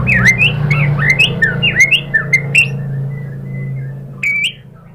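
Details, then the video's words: White-rumped shama lure song aimed at provoking a rival to sing: a rapid string of slurred whistled notes over a low steady hum, then a short pause and one more whistled phrase. "Pancingan MURAI BATU bikin EMOSI NYAUT GACOR"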